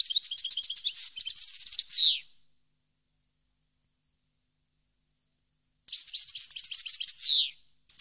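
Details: European goldfinch song from 2015, recorded at Parva: two bursts of rapid, tinkling, twittering phrases with trills and a downslurred buzzy ending, separated by several seconds of silence, with no other sounds.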